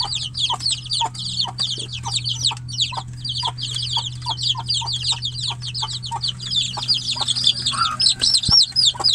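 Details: Chicks shut in a cage, calling for the mother hen kept outside; dense shrill peeps falling in pitch, overlapping without pause, with soft lower pulses roughly every half second and a steady low hum underneath.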